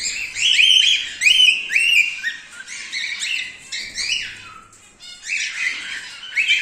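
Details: Silver male cockatiel calling in a rapid series of sharp, rising-then-falling chirps with harsh overtones, about two per second, in bursts separated by brief quieter gaps.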